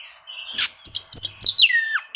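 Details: Oriental magpie-robin singing to find rivals and provoke quiet birds: a harsh burst, then clear high whistles sliding downward in a long falling slur, with a faint low thump in the background.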